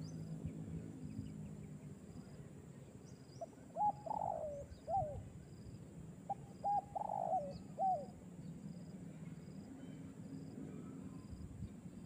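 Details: Spotted dove at a fighter training session among fellow hobbyists. Two short phrases of soft hollow coos about three seconds apart, each with a few clipped notes and a drawn-out middle coo, over steady low rumble and a faint high electrical whine.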